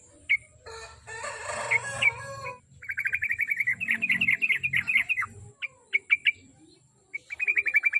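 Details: Sooty-headed bulbul song used as a lure to get a kept bird singing daily: a burst of harsh, noisy chatter, then a fast series of bright, chirpy notes around a steady mid-high pitch, with short pauses between phrases.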